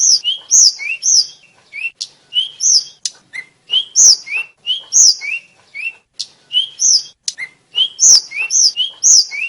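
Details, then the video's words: Flycatcher, locally called tledekan, sulingan or sikatan, a champion songbird: clear whistled notes alternating high and lower pitches, with sharp chirps and quick rising and falling slurs, delivered in lively bursts about every second. "Ocehan Burung Tledekan/Sulingan/Sikatan Jawara"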